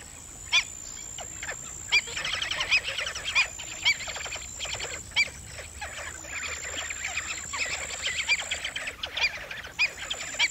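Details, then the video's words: Black-winged stilt: loud, short, sharp calls spaced one to two seconds apart over a dense chatter of many similar calling birds, with a steady high-pitched whine in the background. "សំលេងសត្វជើងទាន Black Winged Stilt"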